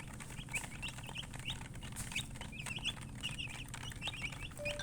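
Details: Chirping from colored chickens, the murgi hen type: clusters of thin, rapid peeps, some in quick runs of three or four, with a constant low hum behind.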